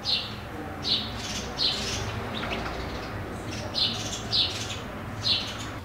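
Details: Bewick's wren nesting in a wooden garden box in northern Ciudad Nezahualcóyotl, State of Mexico, giving short, high chip notes, singly and spaced unevenly about every half second to a second, over a low steady hum.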